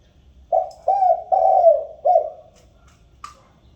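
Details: Spotted dove cooing to call the flock, used as a lure: four mellow, low coos in quick succession, the third the longest, then a brief faint higher note as the series fades.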